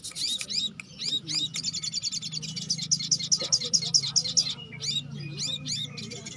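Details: Little spiderhunters in full, lively song: quick high chirps and repeated sharp ticking notes in rapid series, overlapping one another, with a low background hum.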